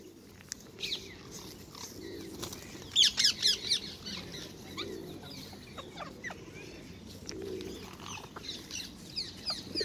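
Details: Several wild ringneck parakeets being hand-fed and stealing apples at a Hyde Park feeding spot in London; a short burst of loud shrill squawks in quick succession, with scattered fainter calls and soft pigeon cooing underneath.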